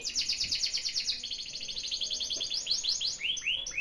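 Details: Canary singing as a lure for a bird reluctant to sing: a fast, dense buzzy trill of tightly repeated high notes gives way after a second to slower rolling phrases of sweeping whistled syllables.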